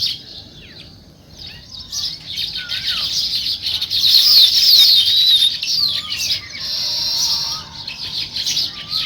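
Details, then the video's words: Sparrows chirping on a morning scene: dense overlapping high chirps and short twittering phrases, several birds at once, with bursts of wing flapping and a steady low background rumble. "Natural Sparrow Chirping Sounds"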